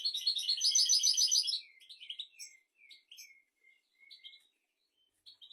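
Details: Royal-style European goldfinch song meant for teaching goldfinches and canaries: a dense burst of rapid twittering trills, then scattered short chirps and thin downslurred notes separated by silences.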